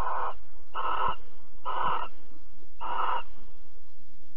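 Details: Barn owls at Alphen, 22 April 2020 around 21:37, mating and cuddling; four harsh, breathy hissing screeches of about a third of a second each, evenly repeated roughly every second, over a steady low hum.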